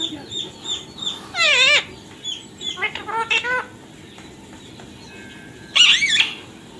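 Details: Ringneck parrot giving loud harsh squawks with wavering harmonics in three main bursts, separated by quieter pauses.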